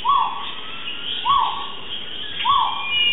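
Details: Crested guan at a wildlife site in Mexico City gives three short, yelping notes that rise then dip, about one every 1.2 seconds, over a steady high insect drone.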